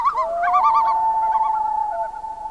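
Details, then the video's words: Common loons calling at night on a northern Canadian lake in summer: one holds a long, steady, mournful wailing note while quavering, yodel-like notes ripple over it in the first second. "LOON CALLS AT NIGHT / COMMON LOON VOICES"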